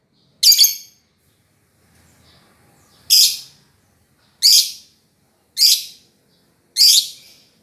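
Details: Lovebird making shrill, harsh chirps: one call, a two-second pause, then four more evenly spaced about a second apart.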